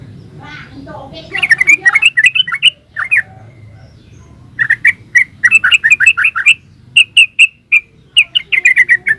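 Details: Yellow-vented bulbul in energetic 'gacor ropel' song: rapid chains of warbled, bubbling notes in two long phrases separated by a brief pause, with a soft sweeping sound at the start.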